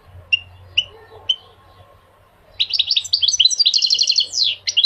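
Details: Goldfinch song: three short separate chirps, then after a pause a fast run of bright twittering and trilled notes, with a low hum underneath.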